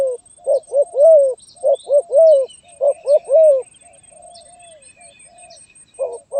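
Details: Spotted dove singing a stuttering 'gagap tindan' (sepatah) song, recorded 23 January 2022: repeated triplets of arched, ringing coos about once a second, soft lower coos between them, and faint high chirping from other birds.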